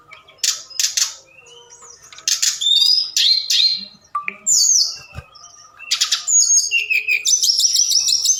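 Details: A forktail's nocturnal lure sound for stimulating other birds. Scattered harsh noisy bursts and short whistles open the passage, and thin high trilled whistles build toward the end.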